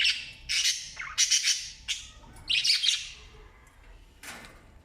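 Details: Australian parrot parents feeding newborn chicks; a run of loud, harsh, noisy squawks in quick bursts over the first three seconds, then quieter scattered calls, a faint steady hum behind.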